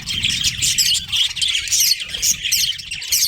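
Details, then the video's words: Budgerigars of a breeding colony chirping rapidly, with sharp whistled notes over a busy chatter, plus a low rumbling background sound. "Cute Budgies Chirping Sounds"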